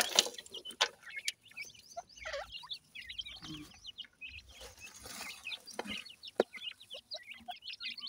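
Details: Partridge babies, Pakistani teetar, calling during feeding with high squeaky chirps in loose clusters, some lower clucking notes between them, and sharp clicks and knocks.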